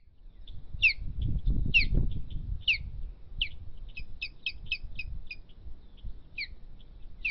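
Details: Osprey calling during a battle over its nest: a rapid run of sharp, high, down-slurred chirps, many in quick succession, with low wind rumble beneath.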